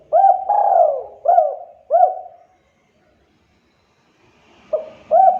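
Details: Spotted dove cooing, used as a lure to make other doves answer: soft, low, hollow coos in quick bursts of about four notes, a pause of nearly two seconds, then two more coos, with a faint hum in the background.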